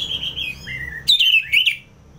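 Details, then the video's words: Orange-headed thrush from North Bali in ngeplong song: a long falling whistle, then two sharp, bright upward-sweeping notes. "ANIS MERAH Ngeplong"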